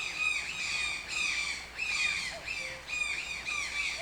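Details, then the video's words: Rough, nasal squawks from a toucan follow one another closely in a loose rhythm, each slightly falling in pitch. A soft, low whistled note briefly sounds in the background. "TOUCAN SOUNDS - Toucan Sound Effect"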